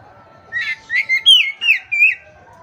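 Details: Oriental magpie-robin, a kacer used as a tutor bird to make silent, stressed kacer respond and sing: five loud whistled notes, each sliding or warbling, spaced about a quarter second apart, over a faint low hum.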